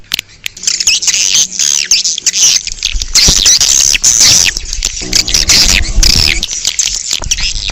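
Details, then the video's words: High, buzzy chirping of swiftlets outdoors, meant to attract swiftlets; near-continuous overlapping twitters with faint low rumble beneath. "Âm thanh chim yến ngoài trời - Âm thanh gọi chim yến"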